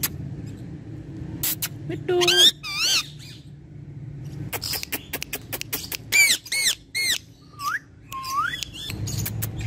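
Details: Talking pet ringneck parrot in a room: scattered clicks, then wavering harmonic speech-like syllables, short squawks and two separate rising whistled notes near the end, over low background hum.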